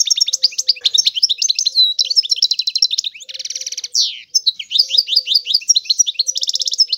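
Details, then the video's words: Continuous European goldfinch singing, unbroken twittering and tinkling notes with several harsh buzzy rattles and a rising-falling sweep, over a soft low hum throughout. "تغريد الحسون هو اجمل صوت العصافير"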